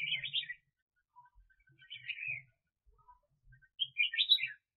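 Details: Decoy red-whiskered bulbul used for bird trapping in the 2021 season sings three short, loud, chirpy warbled phrases, each under a second, separated by silent gaps with faint soft notes between.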